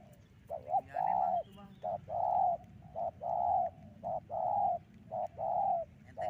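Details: Spotted dove lure call used for trapping: low, mellow coos in repeated groups, a short note followed by a longer, drawn-out hollow coo, cycling roughly every second, over a faint rumbling background.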